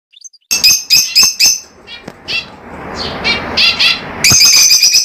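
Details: Lovebirds calling with shrill, harsh chirps in quick bursts, a rapid run of sharp notes, a softer chattering middle, then loud overlapping squawks at the end.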